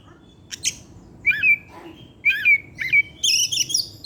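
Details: Kept Oriental magpie-robin singing in the afternoon, a lure to prompt other birds. Rasping notes and repeated ringing two-part whistles follow one another, ending in a tangle of high overlapping whistles.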